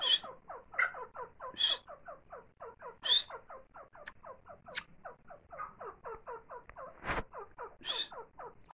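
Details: While feeding its chicks, a grey francolin gives steady, rapid clucks, short falling notes in a long even series, with several higher thin squeaks mixed in and a sharp rustle near the end.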